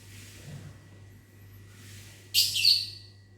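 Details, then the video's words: Lovebird in a small aviary on a morning, answering whistles. After a quiet start, a single loud, harsh, high screech rings out for about a second. "Disiul Lovebirdnya Nyahut Mantab"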